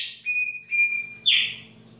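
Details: Winter song of a Chopi blackbird, baianinho style: a high note drops into two long, steady, level whistles, then a strong downward-sweeping whistled phrase, with a soft low hum underneath.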